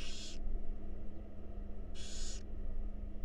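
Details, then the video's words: Wild barn owl owlets fed in a monitored nest box give two hoarse hissing screeches, each under half a second, about two seconds apart, with a steady background hum. "Barn Owl Babies Enjoy A Delicious Meal"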